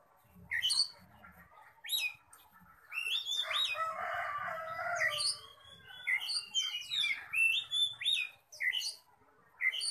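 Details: Oriental magpie-robin, described as contest-ready, singing fiercely while puffing up and showing off: sharp whistled notes and slurs, some rising, in quick bursts. A harsh, broad, crowing-like sound swells in the middle, with faint low rumbling beneath.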